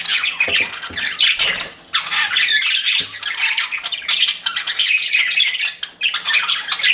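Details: Pet budgerigars chirping while flirting: a dense, continuous stream of scratchy warbles, squawks and chatter from several birds, mostly high-pitched, with brief pauses and no other sounds.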